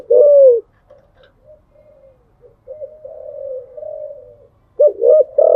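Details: Spotted dove cooing in the early morning: a loud opening coo, softer trailing low notes, then a rising run of loud rounded coos at the end.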